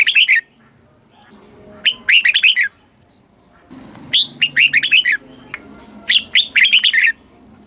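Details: Red-whiskered bulbul song, southern master style, from a caged bird in Thailand used for stimulating and teaching youngsters; four brisk phrases of rippling, falling notes with short gaps, quiet chirps and faint rustling behind.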